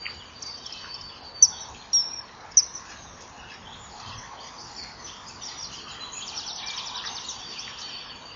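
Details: Common kingfisher (Alcedo atthis) at 07:20 on 2 March 2014 at a nest wall, one of a male-female pair chasing an intruder flying past; three shrill, very high, piercing whistles in quick succession, then faint high twittering over background hiss.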